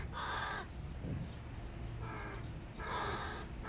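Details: Large hooded crow chicks at breakfast with their family give harsh, drawn-out begging calls: three rasping cries, each about half a second long, with a quiet gap between the first and second.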